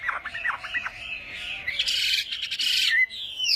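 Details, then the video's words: Chinese hwamei at a morning singing practice, giving a varied run of whistled notes sliding around mid-high pitch, then a burst of harsh, noisy, broadband rasps and a rising whistle at the end. "Hoạ Mi Hót Đấu /hoạ mi hót sáng luyện giọng"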